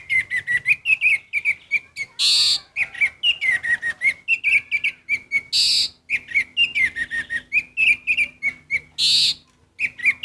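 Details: Orange-headed thrush singing steadily, a nonstop stream of quick descending whistles and sharp chirps interspersed with harsh, scratchy bursts at intervals of a few seconds.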